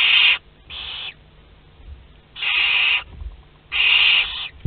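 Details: Hissing from a Western barn owl nest box in Théding, France, 22 August 2021, as chicks of a second brood hatch. Four rasping, noisy bursts of roughly half a second come at irregular intervals over quiet background hum.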